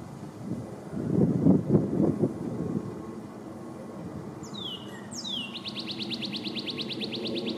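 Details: A male northern cardinal in a backyard in 2020, singing between bouts of eating, gives two clear downslurred whistles, then a fast run of about twenty bright repeated notes; a passing vehicle rumbles low beforehand.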